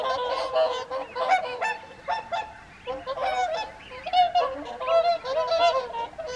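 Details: Whooper swans gathered for the January 2023 evening feed on the Folly Pond, Caerlaverock, viewed from an overlooking farmhouse: bugling honks from many birds in irregular bursts, some notes bending upward, over a clean background.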